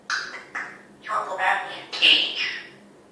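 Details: Pet female African grey parrot talking indoors: a string of four or five word-like bursts over three seconds, rising and falling like human speech, ending in a brighter, higher syllable.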